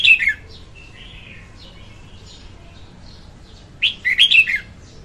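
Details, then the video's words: Clean song of a female red-whiskered bulbul, used to lure birds when trapping: the tail of one phrase, a quiet gap with faint thin whistles, then a lively tumbling phrase of quick slurred notes. "Tiếng chim chào mào hót Ko Tạp Âm dùng đi bẫy"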